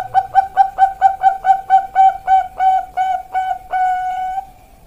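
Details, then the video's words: Bangkok zebra dove chick lure song: a long run of hollow, resonant coos repeated steadily, spacing widening toward a final extended note. "Pancingan Perkutut Bangkok Piyik Kualitas Super"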